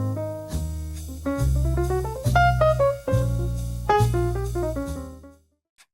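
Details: Jazzy instrumental music with piano chords over bass and drums; no animal voice can be picked out.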